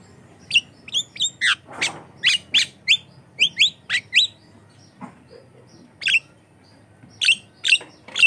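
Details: A Javan myna in full song, used as a lure and training sound for other mynas, gives sharp whistled and squeaky notes in short clusters, separated by brief pauses and a quieter gap mid-way.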